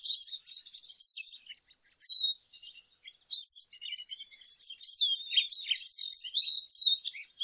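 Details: A lesser goldfinch delivers a continuous jumbled song of high, thin whistles, slurred upslurs and quick chips, varied and rapid, with faint background hiss.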